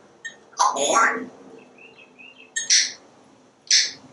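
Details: Pet parrot on a screened back porch talking non-stop while watching squirrels and birds, its vocabulary including words such as squirrels, cookies and broccoli. Here it gives a speech-like burst, then two short bright chirped calls about a second apart, in a quiet room.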